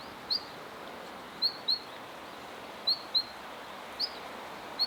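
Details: In a park, a Siberian long-tailed rosefinch gives high, thin whistled call notes, often in quick pairs, about eight notes in five seconds, clear over faint hiss.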